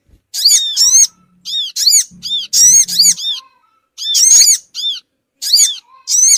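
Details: Sogon bird lure calls for pulling in small birds: sharp, high squeaky notes, each bending up then down, strung in uneven groups, over a soft low hum.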